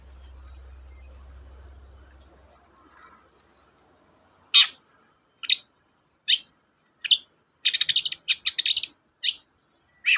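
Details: Long-tailed shrike used to coax a reluctant shrike into song; after a few seconds of quiet, sharp harsh notes begin, then a quick burst of scratchy chattering followed by more single rasping calls.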